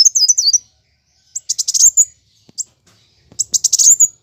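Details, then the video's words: Plain sunbird fighting song: a short high zigzag trill, then pause, then clipped sharp chips and a dense high chattering burst near the end. "Kolibri Wulung (Kowul) Gacor Tarung"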